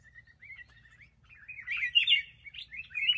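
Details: Black-crested bulbul singing: a soft, level whistled note leads into a quick run of bright, warbling, rising and falling phrases that grow louder toward the middle and end, with no other clear sounds.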